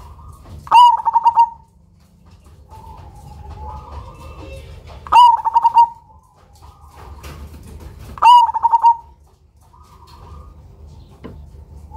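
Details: Cemani zebra dove, singing actively with a big voice and distinctive rhythm, suited as a lure: three evenly spaced phrases about every three and a half seconds, each a sharp note and a rapid string of rolling coos. Faint cooing between.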